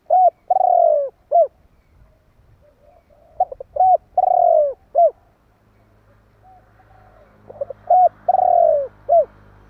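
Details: Spotted dove repeatedly calling to provoke other doves: three identical phrases about four seconds apart, each a quick coo, a long purring falling coo and a short final coo. Steady low hum, louder near the end.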